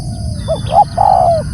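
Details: A single loud phrase from a calling spotted dove: a short soft hoot, a second rising note, then a long, slightly falling cooing note. Faint high bird chirps and a low rumble sit beneath.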